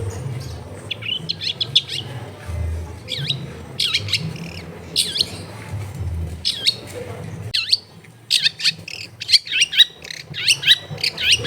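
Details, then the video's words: Long-tailed shrike song, a tutor recording for a caged shrike that has stopped singing, made at a house in dense housing: clusters of sharp downslurred chirps and rapid twittering, with low rumbling noise beneath. "MASTERAN ANTI GAGAL SUARA JERNIH CENDET MACET BIAR CEPAT BUNYI"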